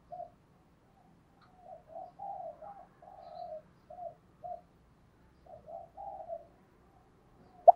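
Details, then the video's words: Spotted dove lure call heard softly, as a series of low, muffled coo phrases in two bursts separated by a pause, ending with a sharp click. "Chim Cu Mồi, tiếng cu gáy kích bổi hiệu quả mỗi ngày"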